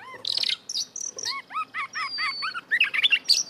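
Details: Oriental magpie-robin (kacer) in full 'gacor' song packed with 'isian' fill phrases: a rapid series of short whistled upslurred and hooked notes, about four a second, with a long gliding whistle, ending in bright high chips.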